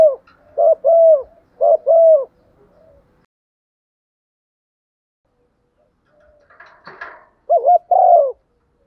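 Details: Spotted dove decoy calling the flock in the morning: two clusters of soft paired coos separated by a long silent gap, with a brief rustling noise just before the second cluster.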